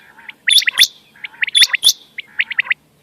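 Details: Calls of quail, known locally as bater, used as a night-time hunting lure: quick runs of sharp, high chirps with a few piercing upward-sweeping notes, given in two dense bursts and a short trailing series.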